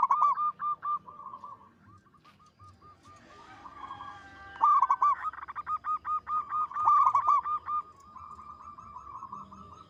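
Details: Local zebra dove in lively singing form, with a big, long, melodious voice: a run of soft cooing notes near one pitch, a noisy pause, then a fast series of rounded repeated notes, several per second, ending in quieter cooing.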